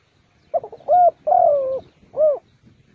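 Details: Spotted dove kept as a trapping decoy calls a soft stuttered note, then a rounded coo, a long drawn-out falling coo and a final short coo, with faint low rustling behind.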